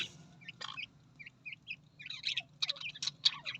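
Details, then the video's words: Australian parrot chirping short rising notes, then breaking into a dense run of loud, harsh chips and twittered clicks, with a faint low hum in the background. "Australian parrot voice"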